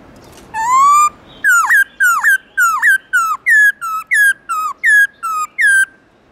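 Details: A black-throated laughingthrush gives a forest-voice song in the morning. One long, rising, pure whistle is followed by a dozen loud, ringing notes, each swooping down then up, repeated rapidly.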